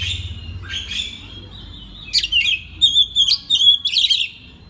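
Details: Master song of an Oriental magpie-robin for tutoring other birds: a soft buzzy opening, then crisp clear whistles and sharp rising chirps in a fast sequence.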